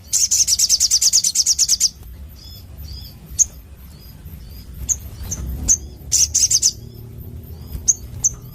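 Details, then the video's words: Crimson sunbird (sogon) delivering a fast trill of high chirps lasting almost two seconds, then scattered single thin notes and a second brief chirping burst, with faint background rustle. "Masteran Sogon Gacor Suara Plong ( Burung Sogon Gacor )"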